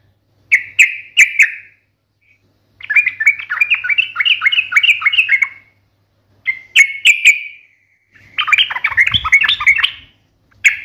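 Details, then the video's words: Yellow-vented bulbul singing in the 'ngalas tajam tarung' manner: paired sharp chirps, a long fast bubbling warble, more clipped chirps, then a dense, harsh chattering burst with low thumps beneath it. "KICAU SUARA trucukan gacor NGALAS TAJAM TARUNG ini MENJADIKAN burung trucuk gacor NYAUT SEKETIKA"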